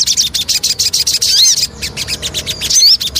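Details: Javan cochoa lure song in quick bursts of high, pulsing chatter, with a few clear upslurred whistles in between and short pauses between phrases.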